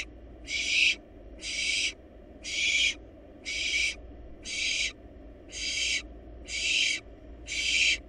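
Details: Rhythmic hissing snores from wild barn owl nestlings in a nest box as they swallow a large rabbit, eight short breathy bursts roughly one per second, slightly quieter.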